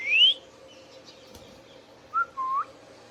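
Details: Captive Indian ringneck parakeet opens with one bright rising whistle, falls quiet, then adds a short clipped note and a slightly longer upslurred whistle, with a low background hum.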